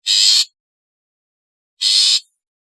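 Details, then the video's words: Long-tailed shrike giving two loud, grating rasps about a second and a half apart, each under half a second, with silence between, used to stir lazy shrikes into singing. "suara asli cendet untuk terapi cendet malas bunyi agar gacor"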